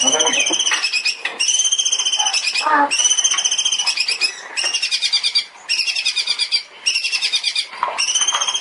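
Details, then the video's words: Long-tailed shrike song for training songbirds: loud, dense runs of rapid ringing trilled notes in long repeated bursts broken by short gaps, with a few lower harsh notes between. "CENDET SPESIALIS TEMBAKAN"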